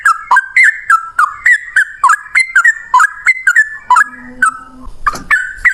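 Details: Male yellow-vented bulbul in lively, fighting-style long rapid song: quick bursts of bright, slurred two-note chirps repeated about three to four per second, steady and loud, with a brief low hum near the end.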